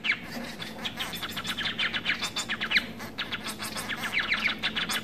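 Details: Society finch, a domesticated hybrid of White-rumped Munia and other munias, producing scattered rasping chirps and short buzzy runs against a noisy background with a low steady hum.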